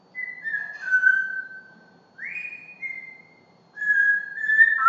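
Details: Female pet African grey parrot, known for imitating farm animal sounds like cow, duck and rooster and for talking, gives clear whistles: a falling whistled phrase, a sharp upslur into a steady tone, then a wavering whistle; quiet background.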